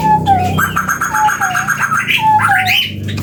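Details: Chestnut-bellied partridge, a bird endemic to West and East Java, Indonesia, giving its long call: clear whistled notes that slide downward, repeated in pairs, with higher chirping from other birds and a low steady hum underneath.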